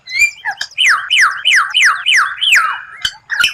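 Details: White-rumped shama song, a rare strange phrase used for training, with a clear whistle followed by a rapid series of about six falling slurred notes, repeated roughly three per second.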